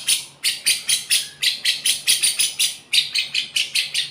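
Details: Lovebird singing in a style imitating the cucak jenggot: fast, buzzy, high-pitched notes repeated about four times a second in an even run, with a brief pause near three seconds, over a faint low hum.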